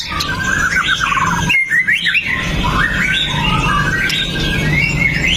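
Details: White-rumped shama of the pastol type, a fierce fighter singing sharp 'shot' phrases to provoke other shamas into singing, recorded on a Xiaomi Note 8 Pro. Dense, varied whistled and squeaky phrases slide up and down continuously over low rumbling background noise.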